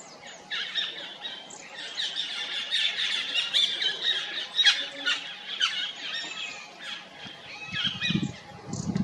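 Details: Stripe-throated yuhina perched in a tree in forest at Jabberkhet, Mussoorie, India, giving harsh, squawking chirps in a busy, overlapping chatter, with low rumbles near the end.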